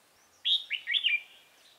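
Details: Red-whiskered bulbul decoy singing to attract rival birds toward a trap, recorded 28 October 2018: one loud, clear warbled phrase of four or five quick rising and falling fluty notes, over quiet background.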